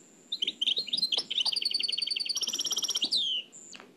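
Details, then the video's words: Nightingale in the Oued El Alleug song style, from an old cassette. A thin high whistle opens into a steady, accelerating rattle of repeated notes, a falling slur, and a final lone high whistle. "تغريد واد العلايق نقلته عن كاسيت قديم بصحتكم خاوتي معمر روسينيول"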